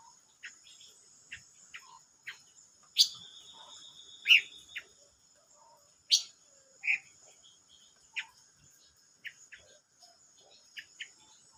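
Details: Silver-eared mesia song from 25 May 2022: scattered short chirps and several loud sharp notes, one followed by a drawn-out steady whistle, with a faint continuous high whine behind.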